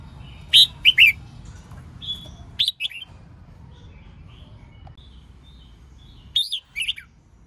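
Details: Hen red-whiskered bulbul giving chattering lure song to prompt males to sing. Quick clusters of two or three slurred whistles, a lone thin note, then a final cluster after a long pause.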